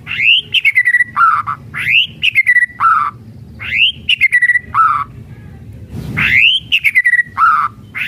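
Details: Shama song of the kretekan type, aimed at stirring other birds to sing: a repeated phrase of an upslurred whistle, a quick falling trill and a lower buzzy note, given four times with short pauses.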